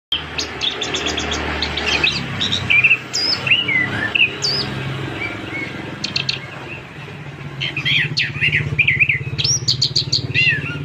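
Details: Orange-headed thrush sings a long, varied song of sweet whistles, slurred up-and-down notes and quick high chips, with brief pauses, over a steady low hum.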